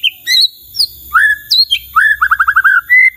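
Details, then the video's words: White-rumped shama singing to draw other shamas into answering: a clear whistle, high sharp upslurs, then a quick stuttering series of short notes and a final drawn-out whistle. "belum 1 menit SUDAH BANYAK murai lain IKUT NYAUT dan GACOR dengar ini"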